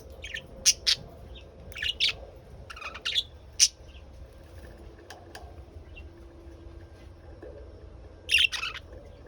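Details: Lovebirds giving sharp high chirps and squawky calls in short bursts with pauses between, loudest at the start and again near the end, over a faint low background hum.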